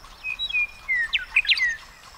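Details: Western meadowlark song, a single rich phrase: several pure descending whistles, then a fast tumbling burst of liquid, bubbling notes and a final slurred whistle; quiet natural background.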